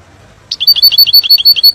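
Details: European goldfinch song meant to teach young birds: after silence, a rapid series of about ten ringing, slurred high notes delivered evenly.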